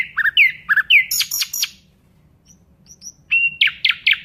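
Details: Nightingale singing loud looping slurred notes and harsh buzzy bursts, then a quiet gap with faint high notes before a whistled note and a run of rasping pulses.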